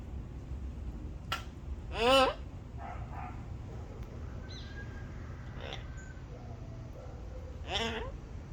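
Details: A talking turquoise-fronted amazon (Amazona aestiva) eating papaya gives two loud, harsh, squawking calls several seconds apart, with a few softer chatters between them over a low background rumble.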